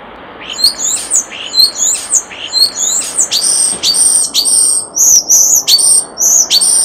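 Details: Common starling at a nest box delivers a fast series of high clicks and buzzy rattling notes, repeated in rhythmic bursts for several seconds.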